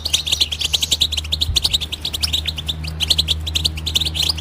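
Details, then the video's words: Rapid batbata twittering from a European goldfinch, with quick, high, liquid notes and buzzy chips tumbling out in a continuous bright chatter for the whole stretch, and a faint low hum beneath. "بتبتة الحسون"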